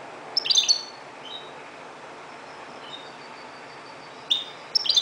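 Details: At dawn a Moroccan goldfinch gives brief high tinkling twitters at the start and end, with soft thin notes between them, against a noticeable steady background rumble.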